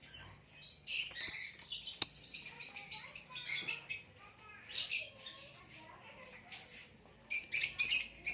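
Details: Lilian's (Nyasa) lovebird and a hybrid green male in captivity give scattered high squeaky chirps and twittering bursts, with quieter gaps and a faint low hum behind.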